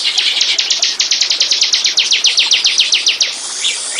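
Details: Bar-winged prinia song played as a lure to attract birds: a fast, even run of about twenty-five sharp, high, down-slurred chip notes, then a few softer, scattered chirps.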